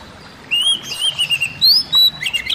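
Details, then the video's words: Oriental magpie-robin song, used to calm a stressed kacer: a short sequence of sweet, slightly wavering whistles, each note sliding up or down, delivered in quick succession. "burung kacer lain dengar suwara ini pasti langsung emosi"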